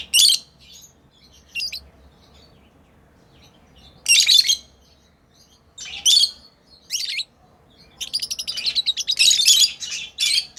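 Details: Playing lovebirds kept as pets give sharp, high chirps separated by long pauses, then break into a rapid run of rasping notes toward the end.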